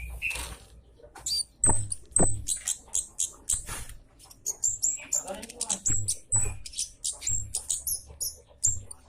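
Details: Javan munia call used as a lure to attract birds: sharp, very high 'citt' chips given in quick irregular bursts, with clicks and scattered rustling noise between them.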